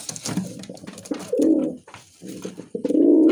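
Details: Musaldom pigeon giving low, bubbling coos in a small room. A softer murmur comes first, then a strong rolling coo, a pause, and another loud coo at the end. Light tapping and shuffling can be heard in the background.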